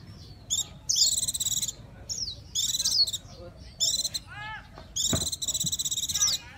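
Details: Japanese white-eye singing in four loud bursts of rapid, high, buzzy trills and sweeping whistled notes, each lasting about a second, separated by short pauses, with a brief lower descending warble between bursts; a faint background hiss.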